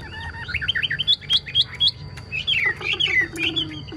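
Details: Chinese hwamei delivering quick, high whistled phrases of looping notes, about four per second, with a lower drawn-out note near the end.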